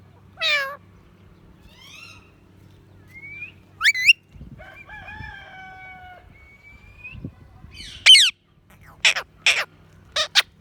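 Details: Talking pet parrot making varied sounds: harsh descending screech, a soft rising whistle, a long wavering harmonic note, then several loud shrill squawks in quick succession near the end.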